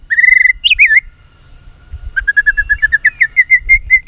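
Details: White-rumped shama giving a fighting song for training: a steady whistled note, a twisting slurred phrase, a pause, then a long run of rapid rolling notes gently rising in pitch.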